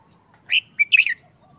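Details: Single short song phrase of a caged red-whiskered bulbul, uncovered after moulting over a month and seeming dull: a clear upslurred note, then a quick tumble of three warbled notes, with faint soft tones behind.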